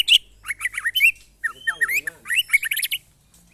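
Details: Caged White-rumped shama, known locally as murai batu, tested against neighbours' birds: loud, varied phrases of rich whistles, rapid chattering notes and sharp upswept squeaks, delivered in quick bursts with brief pauses.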